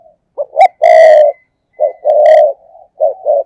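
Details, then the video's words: Used as a lure for wild doves, a decoy spotted dove coos loudly up close in thúc gù style: short low notes building into long husky coos, repeated in phrases about every one and a half seconds. "cu gáy, Mồi cây thúc gù chuẩn căng đét"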